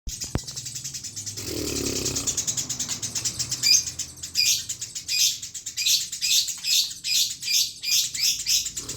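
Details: Eurasian tree sparrow singing in the continuous 'rol' style without pause: after a rustling, noisy start, a run of high, bright chirps repeated roughly twice a second, growing louder and more regular toward the end.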